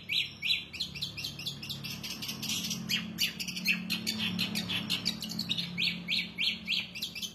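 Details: Long-tailed shrike singing vigorously with a luxurious repertoire: rapid sharp notes repeated about three times a second, blending midway into a denser scratchy chatter before the repeated notes return, over a low background hum.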